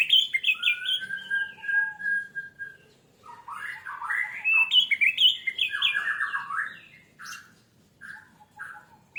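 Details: Orange-headed thrush lure song meant to make others sing quickly and profusely: a long, steady whistle, then dense, loud, varied phrases of jumbled whistles and rough notes that rise and fall, with pauses between bursts.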